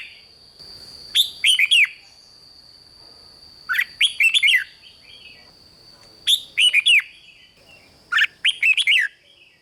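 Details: Rik-style singing by a red-whiskered bulbul, four clipped phrases of fast, clear, downward-slurred whistles spaced two to three seconds apart over a steady faint whine.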